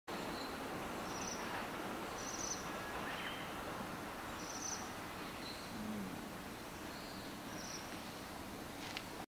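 Ryukyu minivet giving thin, high, brief notes about once every second or two, faint against a steady hiss of wind or insect background.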